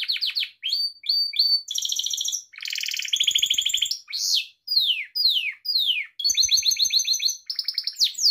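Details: Pet Gloster canary singing, offered to train canaries: quick falling notes in pairs, buzzy rolls, a sharp rising-falling whistle, descending slides and a final chattering series of repeated notes, almost without pause.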